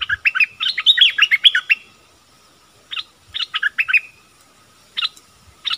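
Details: Caged decoy bulbul used to lure wild birds, recorded 16 March 2021: bright chirpy phrases of quick, bouncing notes, a long burst followed by shorter clusters separated by brief pauses, with faint low thumps beneath.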